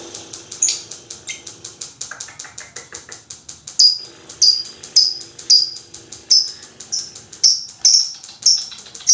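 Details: Long lovebird chattering to prompt other lovebirds: a fast dry ticking series at first, then loud shrill high chirps about every seventh of a minute, sharp-edged and evenly spaced, continuing to the end.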